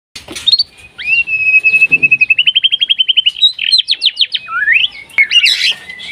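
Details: White-rumped shama in breeding condition, singing actively to call a rival: a rising whistle, a long level whistled note, then a fast run of about fifteen clipped notes, ending in sharp rising whistles.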